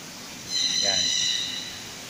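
A golden-collared macaw gives one harsh, nasal squawk lasting about a second, high and buzzy with a brief lower note in the middle.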